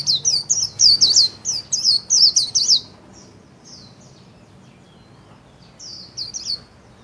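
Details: Japanese white-eye in a cage, delivering "líu" style song with wings spread: a rapid run of high, thin, zigzagging whistled notes for about three seconds, then near silence, then a short final burst of similar notes.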